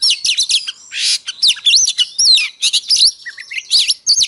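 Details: Oriental magpie-robin in full morning fighting song, intended to make other magpie-robins fired up: loud, rapid medley of rising and falling whistles, harsh rasping notes and clear chips, packed closely together.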